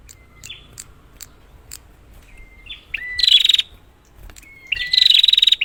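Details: Prinia recording meant to lure silent prinias: faint, thin whistles at first, then two loud, rattling buzzy bursts, each led by a short, clear whistled note.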